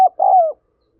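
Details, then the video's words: Spotted dove prompting call, used to stir decoy doves: a quick clipped note followed by one drawn-out, low, mellow coo that slowly falls in pitch, then silence. "Tiếng Chim Cu Gáy Thúc Gáy Gọi"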